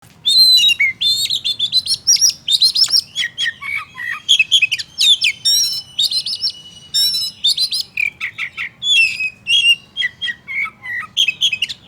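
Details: Oriental magpie-robin singing to provoke another male into anger: a long, loud, varied run of bright whistles, rapid chirps and trills, mostly high-pitched, delivered in dense phrases with brief gaps throughout.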